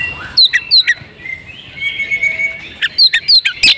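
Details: Breeding-condition female oriental magpie-robin, used to stir silent males into song: a few sharp downslurred chirps, a soft drawn-out rising whistle, then a fast run of clipped high notes.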